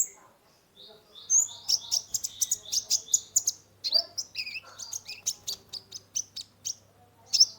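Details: Lively caged sunbird (kolibri ninja) song meant to lure and calm a stressed bird: long, rapid series of piercing high chirps and twittering trills, nearly continuous, with a soft background hum.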